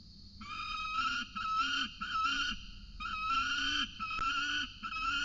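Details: Peregrine falcons at a nest with cicada prey in the evening, giving continuous whining, nasal wailing calls that run together in long, slightly wavering notes with brief breaks.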